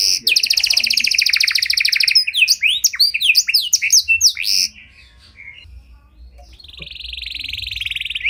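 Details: Panda canary with a cengkok song for baiting other canaries: a two-second rolling trill, quick downslurred notes, a pause, then a thin buzzy trill rising again at the end.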